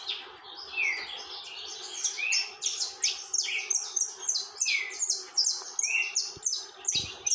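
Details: Continuous tormento song from a saffron finch: quick volleys of high, downslurred chips with occasional lower whistled slurs, rhythmic pulsing bursts, and a soft click near the end.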